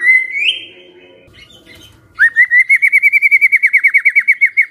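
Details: White-rumped shama in the 'kretekan fighter' style, used to make silent shamas answer. A rising whistle and some softer notes lead into a loud, rapid rattle of clipped, sharply repeated notes lasting over two seconds.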